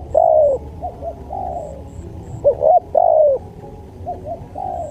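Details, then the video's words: Cooing Spotted dove from a bird-training tutor recording: two clear phrases, each a long descending coo then short bent notes, mellow and low-pitched, recorded close with little background. "MASTERAN SUARA TEKUKUR"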